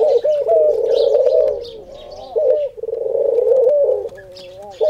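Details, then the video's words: Khumra or singing dove calling at prayer time: two long, rolling, quavering low coos, each about two seconds, the second trailing into softer warbling, with small birds twittering faintly in the background. "Khumra (singing dove) saying Haq Allah Hoo"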